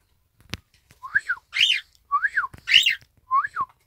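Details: Pet Isabelle pearl cockatiel, 1 December 2018, repeating a whistled "ppoiyo": soft two-part rising-falling whistles alternate with loud, rasping harmonic-rich copies, with a sharp click near the start.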